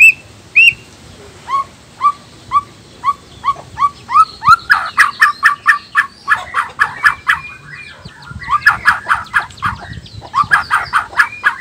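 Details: Male black-tailed white-rumped shama from Nias, whose song provokes other males to sing: clear rising whistles repeated about twice a second, then a dense run of loud, varied, chattering phrases.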